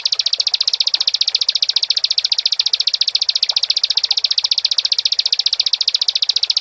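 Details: A Bar-winged prinia sings a long, unbroken run of high, sharp chirps, about ten a second and very even in pace, with faint background hiss; used as audio to provoke other prinias into singing.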